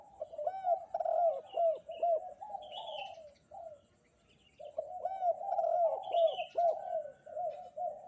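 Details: On a clear, sunny morning, a spotted dove coos energetically in looping phrases of mellow hooked notes. A brief pause separates two bursts, and higher chirps from other birds sound above.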